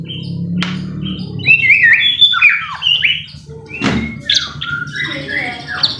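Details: White-rumped shama song meant to stir a bird into singing: high twisting whistled phrases and sharp slurred notes, broken by a brief loud click, with a low hum underneath.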